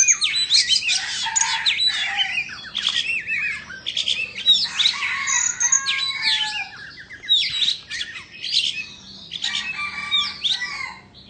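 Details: Indonesian white-rumped shama, dancing with tail spread, pours out a long varied song of sharp whistles, rapid rattled trills and downslurred notes in repeated bursts with short gaps.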